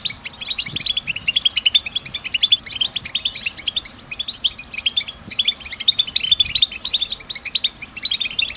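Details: European goldfinch giving a stimulating twittering song in the batbata style: long run of fast, sparkling high notes and buzzy trills, nearly unbroken, with faint low knocks in the background.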